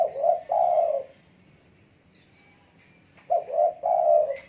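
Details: Spotted dove in strong song: two cooing phrases, each a pair of short rising coos followed by a longer slurred coo, separated by a quiet gap with faint distant chirps.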